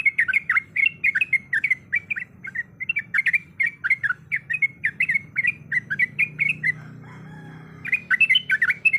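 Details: Sooty-headed bulbul in vigorous, long rolling song filled with varied sounds, a female calling the male. Rapid bubbly chirped notes pour out in dense bursts with a brief pause before resuming, over a faint low hum.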